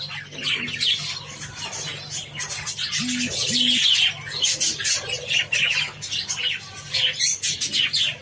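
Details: Java sparrows feeding on wheat chatter in quick, high, scratchy chirps, with two short, steady low tones sounding one after the other partway through, over a faint background hum.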